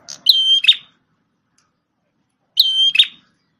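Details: Red-headed prenjak tamu prinia, a shama tutor bird, utters two loud high phrases about two and a half seconds apart. Each is a clipped note, a ringing steady whistle and a buzzy chip, with silence between.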